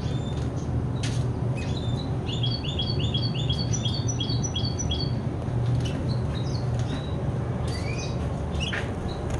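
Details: Tri-hybrid cross of hooded siskin, red siskin and intensive yellow canary, 50% variegated; repeated high chipping notes in quick series with twittered phrases, over constant low humming noise.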